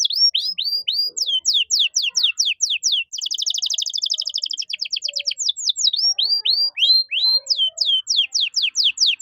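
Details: Canary singing vigorously in the cengkok mewah (luxurious phrase) style, a tutor recording for teaching young songbirds: rapid high downslurred whistles, then a dense buzzy rolling trill for about two seconds, then more sweeping whistled notes.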